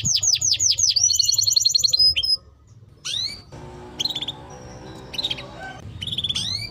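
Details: Timbrado canary singing a few clear falling whistles and a short buzzy trill, then pausing, with only scattered brief chirps and sweeps afterward against a low hum.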